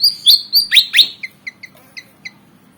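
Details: Javan fantail, a black and white bird, eager to fight: a few high sharp chirped notes followed by a series of soft, spaced short tweets.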